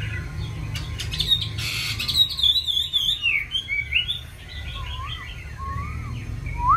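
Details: Chinese hwamei song with varied wild-style voices: after a burst of rough noise, a loud run of tumbling, slurred whistles follows, then softer, low, rising whistled notes spaced about half a second apart.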